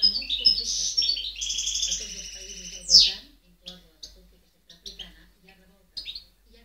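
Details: European goldfinch singing, recorded in 2010: a dense three-second burst of rapid twittering with buzzy, tinkling notes, ending in a sharp downward sweep, then scattered short chirps separated by brief pauses.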